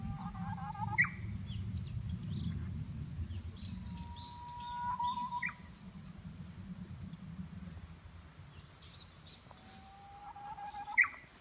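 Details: Japanese bush warbler in spring at a planned building site, 14 April 2019: three phrases, each a held whistle snapping into a sharp upward flourish, with scattered high twitters from other birds over a low constant rumble.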